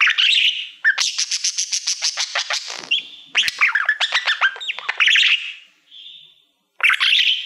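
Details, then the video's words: Caged pet budgerigar, male, singing to his reflection in a Silver Play Button plaque: a squawk, then a long rapid train of clicking ticks, chirpy warbled notes, a soft whistle and a final raspy burst. "Budgie singing to Youtube Playbutton"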